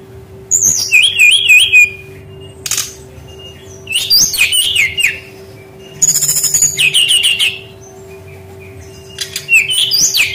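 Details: Lure recording of Brown-chested jungle flycatcher song for training young wild birds that rarely sing: four bursts of fast looping whistles roughly every two seconds, with brief noisy clicks between them and a constant low hum.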